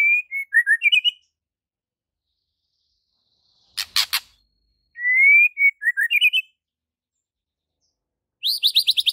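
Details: White-rumped shama with a full, varied song repertoire, meant as tutoring audio for a captive shama reluctant to sing: rising slurred whistles followed by quick descending notes, a sharp double burst, and a closing rapid high trill of repeated notes.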